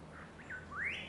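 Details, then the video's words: Striated laughingthrush at Chhukha Tashigatshel, Bhutan, giving a few clear whistled notes: a short falling whistle, then a loud upslurred whistle rising sharply at the end, over faint background hiss. "Striated Laughing Thrush"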